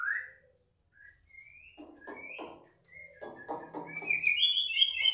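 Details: ["Young wild-caught white-rumped shama growing agitated at another shama's voice: it sings rising whistled notes and short clicky bursts, then finishes with bright, high trilled phrases."]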